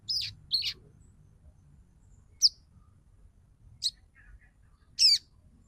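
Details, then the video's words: Female crimson sunbird calling for the male, used to get males singing and into breeding condition; sparse, sharp, high chirps, two close together then single tweets every second or so, in near silence. "SUARA SOGON BETINA MEMANGGIL JANTAN AMPUH UNTUK PANCINGAN SOGON AGAR BUNYI DAN NAIK BIRAHI"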